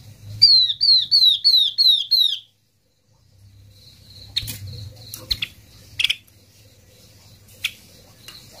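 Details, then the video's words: Yellow-eyed babbler calling to gather its flock, a lure recording: six bright falling whistles in a rapid run, then a pause and irregular sharp clicks and taps over faint low rumble. "Chim hoạ mi mắt vàng mồi gọi đàn"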